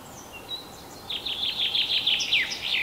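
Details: In Kalinovsky forest park, Yekaterinburg, Russia, 21 April 2020, a common chaffinch gives its spring song. After quiet high notes, a loud run of repeated falling chirps builds and ends in a swooping flourish.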